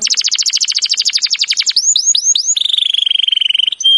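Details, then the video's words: Canary training song: fast descending trills of rapid notes, then a few looping upward-sweeping whistles, ending in a long high buzzy rolling trill, all loud and clean with no other sounds. "Birds song Canary ❗suara Burung Kenari !!"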